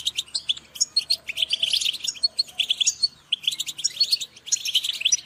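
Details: Several European goldfinches calling together, a dense chorus of bright, rapid twittering notes and chirps, overlapping in quick bursts with short pauses between.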